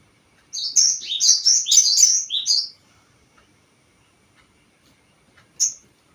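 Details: Crested jay lure sound meant to provoke other birds: a two-second burst of quick, high, slurred chattering notes, followed after a long pause by a single sharp high note.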